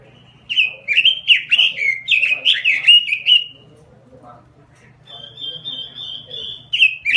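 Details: Robin singing gacor style: three seconds of fast, jumbled, bubbling warbles in quick pulses, a pause with faint murmuring, then a long even whistle and the start of another warbled phrase.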